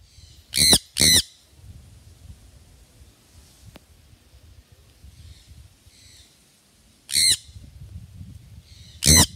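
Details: Sun conure, a parrot also called sun parakeet, gives loud, harsh, grating screeches: two close together near the start, then two more spaced apart after a long quiet gap with faint background rustling.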